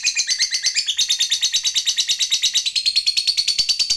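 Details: Lovebird chattering to get other lovebirds to reply, a quick run of sharp, grating notes repeated about three times a second, shifting slightly higher in pitch toward the end.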